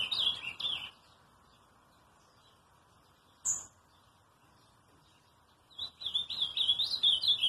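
An ultramarine grosbeak sings a rich, warbled phrase of sweet up-and-down whistles, then falls silent before starting another; a soft low hiss runs underneath.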